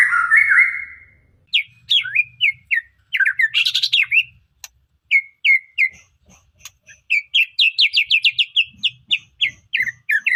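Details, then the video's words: White-rumped shama song used as a lure to stir other birds into singing: a long rising whistle opens, then varied clear whistled phrases, a brief harsh burst, and a quick run of repeated bright notes near the end. "Pancingan murai batu 🔥 Naikan emosi burung auto ikut gacor"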